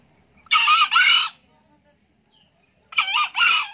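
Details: Green junglefowl, an old cock that crows often, calling twice: each crow a coarse, high two-syllable burst lasting under a second, separated by about two seconds of near silence.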